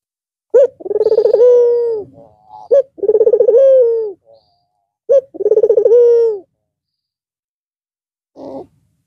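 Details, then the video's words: A white Barbary dove with red eyes singing again after a long Eid al-Fitr break, cooing in manggung style: three mellow rolling coos roughly every two seconds, each preceded by a short clipped note, ending with a faint brief call. "Puter Putih Mata Merah Manggung Lagi Setelah istirahat sekian Lama"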